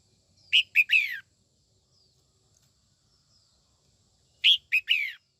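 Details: Female red-whiskered bulbul in morning song to stir white-cheeked males: a three-note chirped phrase ending in a falling slur, about three seconds of near silence with faint distant notes, then the phrase repeated.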